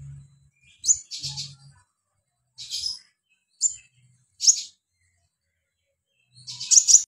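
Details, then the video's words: Mountain white-eye in lively song: five or six short bursts of high, sharp chirps and buzzy trills come every one to two seconds, with a low hum under some phrases. "Burung Sogon Otong Gacor"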